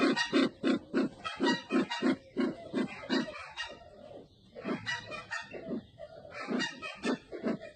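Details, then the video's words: Sumatran red-eyed bird calling with fast, throaty grunts repeated about three times a second, the series fading in the middle and resuming more softly toward the end. "Suara burung merah mata Sumatra"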